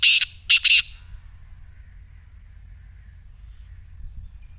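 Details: Black francolin calling: three loud, harsh, rasping notes packed into the first second, then near silence with only faint low background noise.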